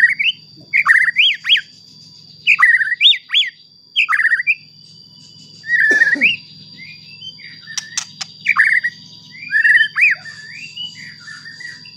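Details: Provocation song of a White-rumped shama meant to rouse other shamas: repeated bursts of varied whistled notes, looping up and down, with a harsh downward note and clicks midway, over a steady high tone and hum.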